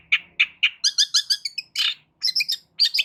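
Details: Long-tailed shrike singing loudly with a full repertoire, used to stir quiet shrikes to respond: a quick series of harsh chattering notes, then paired bright whistles and a scratchy burst.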